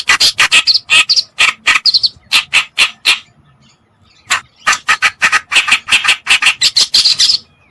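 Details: Lure recording of a white- or black-browed reed warbler for attracting birds: rapid rasping, grating notes in bursts, broken by a silent gap of about a second before the harsh chatter resumes.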